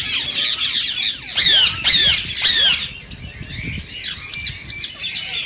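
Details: Rose-ringed parakeet screeching, offered to stimulate singing and mating in other birds: quick raspy chatter, then three strong harsh calls a half-second apart, fading into quieter scratchy notes.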